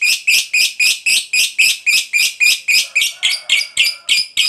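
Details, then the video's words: Lovebird of the fighter type giving a long ngekek chatter meant to provoke other lovebirds into answering: harsh, buzzy, high notes repeated quickly and evenly, nearly four per second, in one unbroken run. "Suara Burung Lovebird Ngekek Panjang JAGO Memancing BUNYI, Hitungan Menit LB DIAM Langsung NYAUT"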